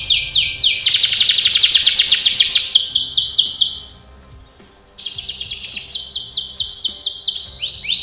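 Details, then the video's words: A canary sings a training song: dense high trill of quick downward slurs, a pause of about a second, then a new tour of rapid repeated sweeps ending in lower rolled notes. "canary singing / canto Canario cantando | canary training song"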